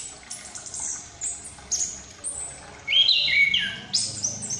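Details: A caged Chestnut-capped thrush from Malang, young and past the spotted stage, practises ngriwik song: thin very high notes, then lower whistled slurs near the end.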